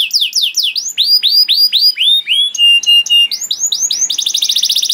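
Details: Canary master song for teaching young canaries: quick repeated falling whistles, then short flat tones and a closing fast rattling trill, all high and clear.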